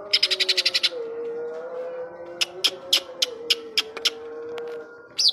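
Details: Greater green leafbird (Chloropsis sonnerati) singing with mimicked kapas tembak phrases: a quick burst of about ten sharp chirps, then scattered loud clicking notes, over a steady low droning tone.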